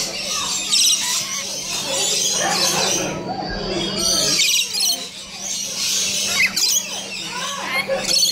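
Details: Rainbow lorikeets kept at Colchester Zoo: a dense, shrill chorus of overlapping screechy chatter and squawks runs through the whole stretch, with human voices and a steady low hum underneath.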